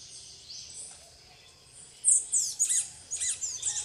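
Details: Plain parakeets feeding on bananas alongside tanagers and other birds at a private reserve in Guaramirim, Santa Catarina, Brazil; a burst of high, shrill, rapidly repeated chattering notes, some downslurred, after a quieter opening.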